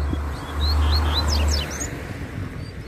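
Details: Wild double-collared seedeater in nature, described as very spirited and trading song with another bird: a quick run of clear whistled slurs and sharp falling notes over about two seconds, with a low engine rumble underneath.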